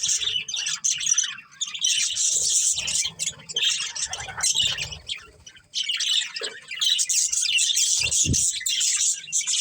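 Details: Breeding pair of budgerigars keeping up dense, noisy chatter of harsh squawks and high twittering, nearly continuous apart from a brief lull midway, with a couple of soft low thumps.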